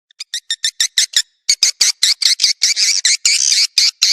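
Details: Swiftlet lure call used to attract swiftlets: a rapid series of short, buzzy, high chirps, with a brief pause after the first burst before the chirps resume more densely and run together.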